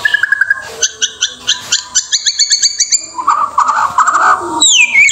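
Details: White-rumped shama of an Indonesian regional type: a burst of sharp repeated chipping notes in quick series, then a lower rough warbling passage and a final high descending whistle.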